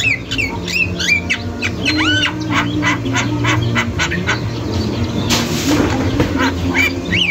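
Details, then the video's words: Javan myna in full song in a masteran recording: looping whistled notes that rise and fall, then a sudden loud rasping burst and scattered sharp notes, with a low hum beneath. "JALAK KEBO GACOR | ga berhenti bunyi, jalak lain pasti nyaut"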